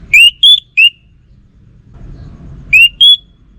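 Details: Orange-headed thrush giving a phrase of three ringing whistles, rising then level then lower, then after a pause two more similar whistles, over faint background rumble.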